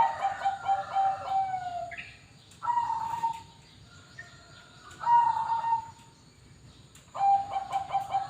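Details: Zebra dove of the Perkutut Bangkok type at a bird farm: short bursts of soft, stuttering cooing notes with a bright tonal ending, repeated about every two to three seconds, with quiet gaps between.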